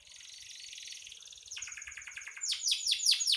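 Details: Canary in full song, a soft fast rattling trill building into loud, rapid descending sweeps repeated about every fifth of a second, high and bright throughout.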